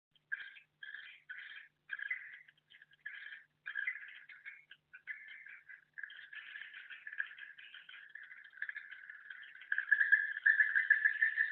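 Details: Swiftlet internal 'suara tahan' bird call. Dry chattering twitter comes in short bursts about every half second at first, then runs together into a steady, rattling stream that grows louder toward the end.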